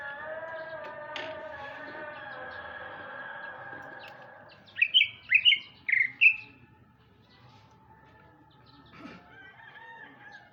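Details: Sumatran male greater green leafbird in afternoon song: after a steady low hum-like tone, a burst of four sharp, upward-flicking whistled notes in quick succession, then near quiet with faint distant chirps.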